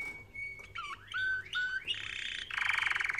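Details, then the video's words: Canary singing for training: a thin steady whistle, then rising slurred notes, followed by a dense buzzy rolling trill; faint background hum. "Canary Singing Video | The Best Canary Training sound"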